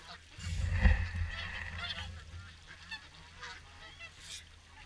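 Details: Swans gathered for the evening feed at Caerlaverock: a flock of nasal, bugling honks overlapping in a busy chorus, loudest near the first second, over a steady low wind rumble.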